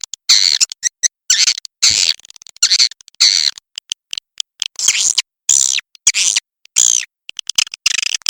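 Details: Swiftlet call of the walet macan merah type, heard as clustered bursts of sharp, high chirps and twittering trills, some notes sliding upward, separated by brief clean pauses.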